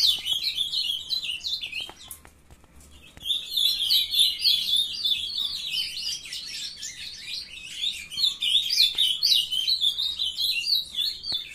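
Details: Captive-bred young ultramarine grosbeaks singing together on a June morning in 2020, a brown juvenile entering song. Continuous dense, jumbled twittering and warbling, a short lull near two seconds, then sustained rapid chatter.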